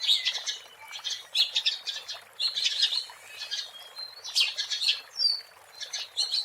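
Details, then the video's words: Oriental magpie-robin in the wild, song used as a lure: a quieter, somewhat distant jumble of buzzy chattering notes and short whistles, with a clear upslurred whistle near the end. "SUARA ASLI BURUNG KACER GACOR BUAT PANCINGAN DAN PIKATAN MP3 DI ALAM LIAR"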